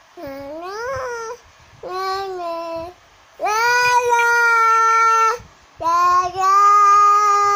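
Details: Singing cockatoo gives four drawn-out, harmonic-rich tones separated by short pauses. The first note slides upward and the later ones stay level and sustained.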